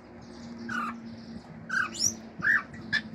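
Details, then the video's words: Male pet cockatiel kept at home singing natural songs, with mimicked birdsong, wolf whistles and clicks: short scratchy squawked chirps and a brief upslurred squeak, four or five notes in three seconds, against steady low hum and noise. "CALOPSITA MACHO CANTANDO CANTOS NATURAIS, FIU-FIU, ESTALINHOS ENTRE OUTROS"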